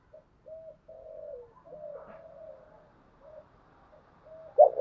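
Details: Spotted dove lure recording used to draw in wild doves: a series of soft, low, hollow coos, some drawn out and slightly falling, with quieter faint coos between and one louder burst at the end.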